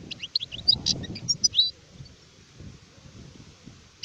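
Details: Brief burst of adult European goldfinch (sharef) song: sharp tinkling chirps and a few slurred notes for under two seconds, then mostly quiet with low background noise.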